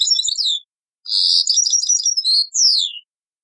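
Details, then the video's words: Goldfinch taqsrayin song from an old cassette tape: three quick phrases of high, liquid twitters and chirps, the last ending in a clear downward-slurred whistle, with brief pauses between. "تغريد تقصراين"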